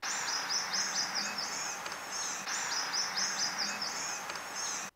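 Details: Prothonotary Warbler song: two bright, ringing phrases of five or six high, even notes, sweet-sweet-sweet, over a soft outdoor hiss.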